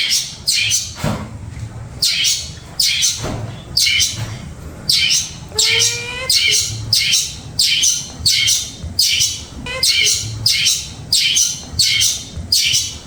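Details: Caged long-tailed shrike (pentet) kept as a songbird, delivering a fast series of harsh, scratchy bursts about every half second, with a brief thin whistled phrase mixed in midway; low background hum.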